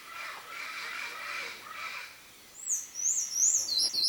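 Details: Buff-necked ibis chicks asking for food in the wild in Brazil's Cerrado: faint, harsh, layered calls at first, then loud, thin, high wavering squeals rising and falling in quick succession.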